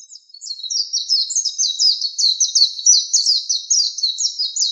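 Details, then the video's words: An Oriental white-eye (Zosterops palpebrosus), recorded as a master song for training pet white-eyes, sings a fast, unbroken run of thin, high twittering notes, about three chirps a second, with no other sounds behind it. "Masteran Buat Pleci"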